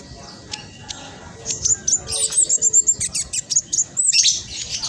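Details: Black sunbird 'trotol' giving a fast, close-packed 'nyerecet' song used to provoke other black sunbirds into singing: short quiet start, then a quick run of very high, thin chirps and twittering notes.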